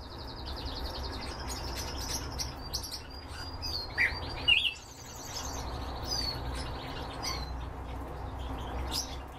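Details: Canaries kept for breeding deliver varied song: fast high rolling trills alternating with sharp chirps and brief whistled phrases, changing tempo several times over a low steady hum.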